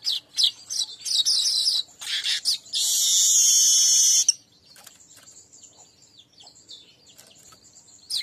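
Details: Lure song for weavers intended for group-kept birds: a burst of loud, rapid chirps, then a long, rasping buzz of over a second, followed by quiet, thin twittering and one final chip.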